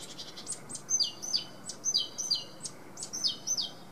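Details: Song of a great tit (Parus major): a steady series of paired whistles, each pair a high note then a lower descending one, repeated about once a second throughout, with soft hissing background.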